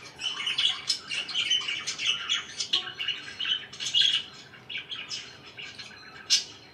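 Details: Chirping pet budgies fill the room with a continuous twittering warble, rapid rasping notes layered with thin squeaks, easing slightly softer toward the end before one sharp high chirp.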